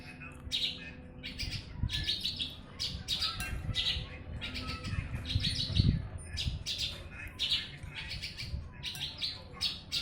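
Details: Continuous song of a Javan bush lark from Jombang, East Java, Indonesia, meant for tutoring other birds: bursts of scratchy, squeaky chirps in quick clusters, with low rumbling noise beneath.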